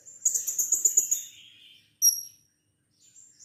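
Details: Blue-crowned hanging parrot, kept caged, giving a lure call meant to set other birds singing: a fast, high, buzzing pulsed trill of about one second, followed after a pause by a short sharp squeak.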